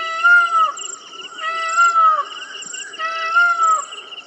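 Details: Indian peafowl calling: nasal, wailing notes with rich overtones, each slightly arched and under a second long, given three times at uneven intervals over a steady high background hiss.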